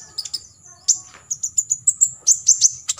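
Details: High-pitched olive-backed sunbird song in the 'tembakan isian' style, used for tutoring competition birds: clipped squeaky notes, a thin sustained whistle, then a fast run of sharp, evenly spaced chips about five per second.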